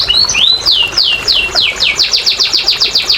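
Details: Canary song used to prompt quiet, reluctant canaries to sing: a run of bright downward-sweeping whistled notes, slow at first then speeding into a rapid regular series, high-pitched throughout.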